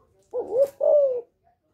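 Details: Female spotted dove giving a call meant to stir males: a short two-part coo, a rising hoarse note followed at once by a longer, even note that tails off downward, with silence around it.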